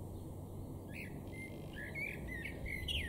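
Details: A common starling sings in a garden in Weener, East Frisia, far northwestern Germany, in April 2022: a jumble of short whistles, squeaky chirps and clicks in quick succession, over a steady low rumble of background noise.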